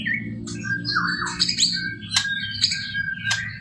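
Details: Murai batu (white-rumped shama) delivering full-isian masteran material: scratchy squawking notes, short whistles and sharp clicks at rising intervals, quieter against a stronger low-pitched hum.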